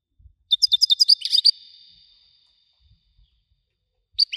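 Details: Widani-style European goldfinch song, a fast run of sharp, high chirping notes with a brief buzzy trailing tone, a pause, then the twittering starts again; faint low knocks in the background.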